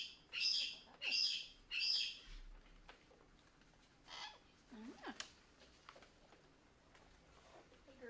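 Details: A parrot vocalizing for attention gives three loud, harsh screeches about a second apart, then quieter squawks and chatter. These are distress calls made when its caregiver leaves the room, seemingly meant to bring the person back.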